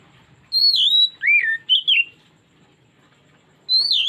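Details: Lure song of an Oriental magpie-robin, meant to draw out a bird's repertoire: a loud phrase of clear, sliding whistles that step from high notes down to lower swooping ones, then a pause before a new high whistle begins.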